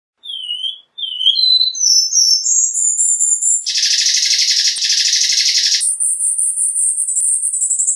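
A Cuban bullfinch sings a high, thin song of short whistles climbing step by step in pitch, then a dense buzzy trill and a sustained high whistled phrase.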